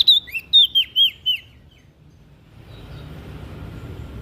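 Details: Lively olive-backed tailorbird from NTB, its song used to get reluctant birds singing: a sharp whistled opening, then five evenly spaced descending chirps over about a second and a half, followed by quiet background noise.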